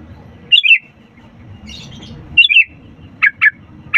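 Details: Sooty-headed bulbul in full song, played to coax reluctant birds into singing: liquid tumbling phrases of three to four notes, then a quick series of short sharp chirps, with low background rumble.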